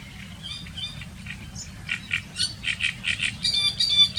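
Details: Harsh, chattering song of a great reed warbler in reed beds and sedge, described as very loud, multisyllabic, croaking and rattling; scratchy notes build into a steady series of raspy syllables, rising in volume toward the end.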